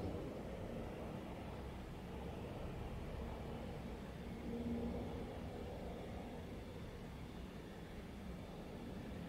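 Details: Even background roar resembling distant traffic, briefly swelling near the middle.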